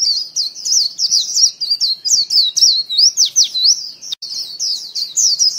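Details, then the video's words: White-eye lure call: a clean, loud run of quick high whistled notes, sliding up and down in twisting phrases, almost continuous with brief gaps and a short break near the fourth second. "Tiếng chim vành khuyên mồi"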